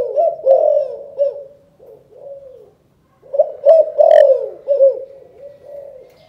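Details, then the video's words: Calling coo in the 'chụp chụp ô' style from a spotted dove of Can Tho, Vietnam. Two bursts of loud, rhythmic hooting coos each taper into softer, wavering notes, separated by a brief silence. "Chụp chụp ô gáy gọi Thái Vân hoa : Cu gáy Cần Thơ"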